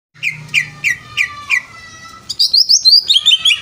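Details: Greater green leafbird, locally cucak ijo, singing: a run of five sharp descending chirps about every third of a second, then a fast high twittering warble of rapid repeated notes, with a low hum underneath.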